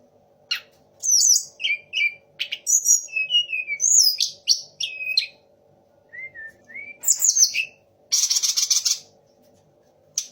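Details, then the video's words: Sunda laughingthrush pouring out a medley said to carry three other birds' songs: magpie-robin, shama and orange-headed thrush. Rapid chirps, slurred whistles, a short rising whistle, then a rasping noisy burst, all over a faint constant hum. "TLEDEKAN GUNUNG DENGAN TIGA RASA BURUNG"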